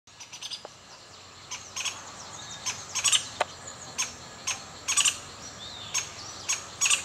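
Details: At a nest at La Selva, Costa Rica, a juvenile female pale-billed woodpecker begs with sharp, bright chipping notes in uneven bursts as her father lands above with food, over a steady insect hum.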